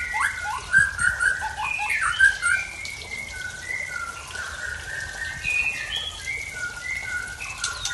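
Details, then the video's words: Murai tangse from Aceh singing strange mimicked fill-in notes: a run of short whistled and slurred phrases, some rising, followed by a series of level whistled notes at shifting pitches. "Murai Tangse Aceh Bongkar Isian Aneh"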